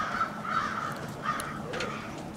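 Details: Crows staging on a street in Brattleboro, Vermont, 16 February 2021: a run of loud, rasping caws close together at the start, then further caws trailing off against background town noise.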